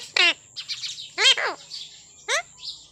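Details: Pet parrot voicing several rough, buzzy syllables in quick succession, then a final harsh squawk, over a faint steady high tone.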